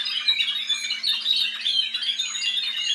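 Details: Spanish Timbrado canary, a caged team bird descended from an Andalusian champion, delivering an unbroken rapid rolling trill with metallic, bell-like tones over a faint electrical hum.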